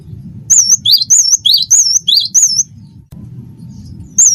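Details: A single run of about eight high, rolling two-note whistles from a wingko-type cinereous tit in training song, followed by a pause and the start of another phrase.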